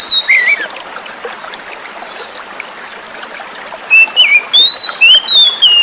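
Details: Oriental magpie-robin song from a wild-caught young bird, used to spark singing in birds that went quiet, with running water; a short falling whistle, a pause, then five clear whistled notes stepping upward and downward.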